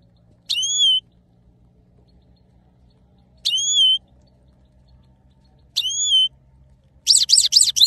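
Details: A male goldfinch, known locally as saira, sings three separate drawn-out, nasal, slightly falling notes spaced about two and a half seconds apart, then breaks into fast, high, jingling twitter at the end.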